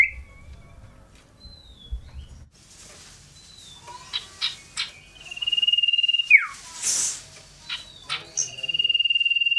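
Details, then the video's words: Scarlet-headed flowerpecker singing loudly and shrilly while jumping here and there; sharp high chips lead into long, even, buzzy trills held at one high pitch, one ending in a quick downward slur. "Cito sirdum gacor ngobra suaranya tiada duanya terbaru"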